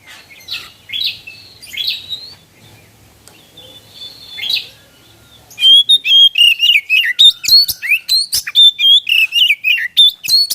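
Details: White-rumped shama singing loudly. Played to stimulate other birds to sing. Faint, scattered chirps are followed by a loud, fast, continuous song of varied whistles and sharp chirps, many notes each second.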